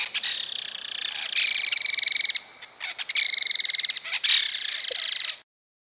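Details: A Belted Kingfisher gives its startling call as it flies from trees overhanging river banks: loud, dry, harsh rattles in three rapid bursts, each a fast, even string of clicking notes lasting about a second.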